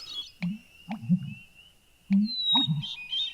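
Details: American Bittern in the Maine woods around Cherryfield, Washington County, gives deep, hollow gulping pumps, several low booming notes in quick succession, over a steady high whistled tone and other thin bird calls.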